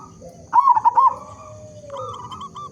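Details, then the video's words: Local zebra dove with a big voice, sung as a lure to prompt other zebra doves to call: one loud, bubbly rolling coo of about five quick notes, softer coos from other doves behind and a steady high whine. "Perkutut Lokal Gacor Suara Besar Cocok Untuk Pancingan Semua Jenis Burung Perkutut Agar Bunyi"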